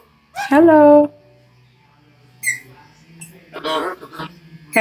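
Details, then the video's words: Pet macaw talking: one loud, nasal, harmonic utterance with a slight downward bend, then softer scattered squeaks and murmured speech-like sounds, ending with a sudden high squawk. "Parrot macaw talking"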